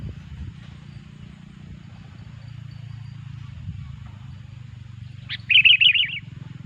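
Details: Sooty-headed bulbul, a loud, actively singing bird whose song is used as a lure for trapping bulbuls: a single quick warbled, bubbly phrase near the end after several seconds of steady low hum.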